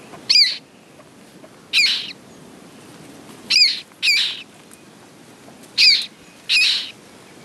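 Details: Common moorhen (Gallinula chloropus) at a nest with eggs and newly hatched chicks gives six short, harsh, high squawks, some in quick pairs, spaced irregularly over a few seconds against a quiet outdoor background.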